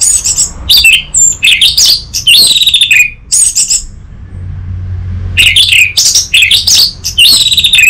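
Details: Orange-headed thrush in full song: dense, varied phrases of whistles, trills and harsh chirps, one pause near four seconds before the rich phrases resume.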